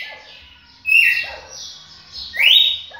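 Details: Two loud, sweeping whistles from a champion red-cowled cardinal, the first held and falling, the second rising then falling, with faint low notes in between.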